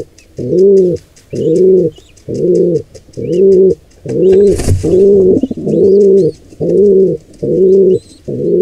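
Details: Wild pigeons, intruder pair attacking a squab: rhythmic deep coos repeated about every second, one short rustling thump midway, faint high bird chirps behind.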